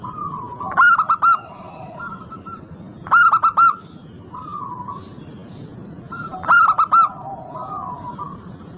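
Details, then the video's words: Local Indonesian zebra dove in full song, used as a lure to get other zebra doves singing: clipped, rapid four-note bursts about every three seconds, with soft, lower cooing notes between phrases over a faint steady hum. "Pancingan super ampuh untuk semua jenis burung perkutut."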